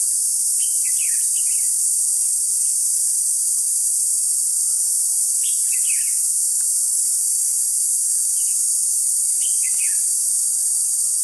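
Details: Red-whiskered bulbul kept as a trapping decoy, 21 July 2016: brief rapid warbled phrases roughly every four seconds, separated by quiet gaps, over a steady shrill insect chorus.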